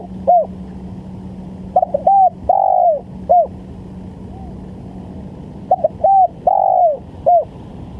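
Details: Lure recording of a spotted dove for trapping: soft coo phrases of a brief note, a level coo, a long falling coo and a short ending coo, about every three to four seconds, with a low steady hum.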